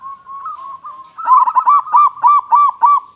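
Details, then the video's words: Local zebra dove calling loudly, used as a lure for other doves: a soft rolling coo, then a steady run of arched, ringing notes about six times a second. "Perkutut Lokal Gacor Suara Besar Suara Paling di Sukai Burung Perkutut apa Saja"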